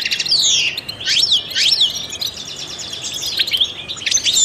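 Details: European goldfinch, a trained singer, delivering sharp descending and rising whistled notes around the first two seconds, then a rapid tinkling twitter; loud and clear.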